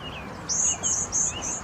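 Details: Cedar waxwing giving thin, very high, hissing notes, four drawn-out lisping calls in quick succession with a fainter lower warble beneath, over a soft steady background hiss.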